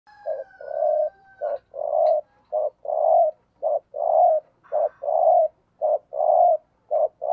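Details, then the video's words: Spotted dove decoy bird giving the thúc gù lure coo: low, hollow paired notes, a short coo followed by a longer rolling one, repeated steadily about once a second, with a faint steady whistled tone at the start. "Tiếng Chim Cu Gáy Thúc Gù - Chim Cu Mồi"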